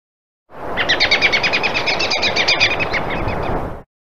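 American robin giving a fast, chattering run of high chirped notes, about nine per second for three seconds, over a steady low rumble of background noise.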